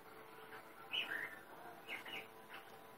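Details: Sri Lanka grey hornbill calling: a loud harsh two-part squeal, a higher note dropping into a lower rasping one, then fainter similar notes about a second later, over a soft steady background.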